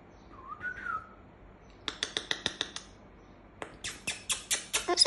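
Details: Galah, also called rose-breasted cockatoo, indoors: a short rising whistle, then a rapid run of harsh rasping squawks, then a second, louder burst of screechy squawks.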